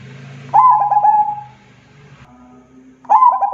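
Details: Local zebra dove in full song gives a quick burst of gurgling coo notes ending in a drawn-out soft tone, then begins another phrase; a low steady hum sits underneath at first.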